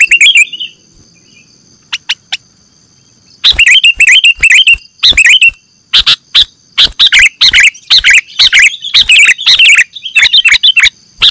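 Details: Bird-catching lure of sooty-headed bulbul: one bubbly phrase and a few faint ticks, a quiet pause, then a long burst of rapid, liquid chattering notes, with a faint steady high tone throughout.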